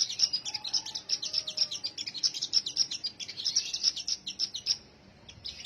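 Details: Sunbird pouring out fast, thin, high twitters in an unbroken run. A short pause comes just before the end, then the chatter resumes.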